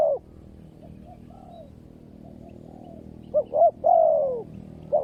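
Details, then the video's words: Spotted dove used in ground decoy trapping, facing a fierce wild bird; after a long quiet stretch, a short hooked coo opens and a burst of two quick notes plus a drawn-out falling coo comes near the end. "นกป่าดุมาก เสียงดี มีคารม มีเปลี่ยน มีหนุน"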